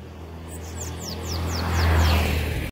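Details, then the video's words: Bananaquit of the 'Belga' line singing a rapid series of six thin, very high, descending notes, evenly spaced, over a strong steady low rumble that grows louder toward the end. "SO BELGA SIBITE REVELAÇÃO PURA FIBRA"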